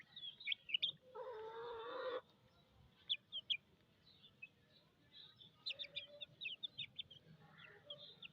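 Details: Thirsty chicken chicks give high, piercing, downslurred peeps in clusters, interrupted early by a loud, one-second, lower, buzzy, harmonic sound, with a low rumbling background throughout.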